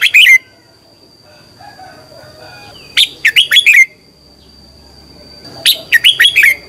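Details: Red-whiskered bulbul morning song used to train other bulbuls: three lively bursts of four or five fast, slurred whistled notes roughly every three seconds. Quiet pauses fall between bursts, and a faint continuous whine runs throughout.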